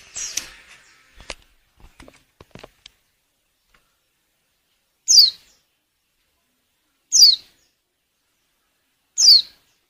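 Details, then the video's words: Calls of a female white-eye in breeding condition, used to prompt males to sing for luring: after some opening clicks and knocks, three clear, high falling notes spaced about two seconds apart. "Suara burung pleci betina_pacingan birahi _jantan agar mau bunyi bagus buat pikat."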